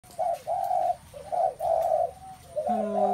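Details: Spotted doves filling the air with calls: a series of mid-pitched, hoarse cooing notes that rise and fall, a few per second, with a lower steady hum under the last note.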